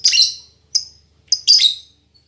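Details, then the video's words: Female fighter lovebird singing in captivity: a harsh buzzy squeal, then two short sharp chirps and another rasping squeal, all high-pitched. "Suara Burung Lovebird Betina Fighter"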